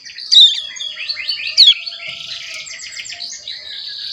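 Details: Month-old ciblek gunung practising its song under tutoring with kapas tembak and canary recordings: high, squeaky chirps and rattling trills in an uneven, rambling stream, with a few louder sharp notes.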